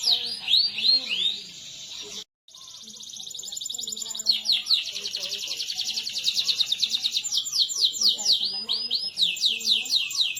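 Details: Master song of a canary for training silent canaries: curved whistled notes, a short cut to silence, then a steadily building rolling trill of rapid repeated high notes ending in looping sweeps.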